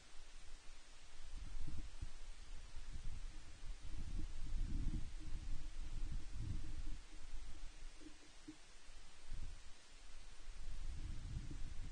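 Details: Steady hiss with gusty low-pitched rumbling, like wind buffeting a microphone, and no animal calls.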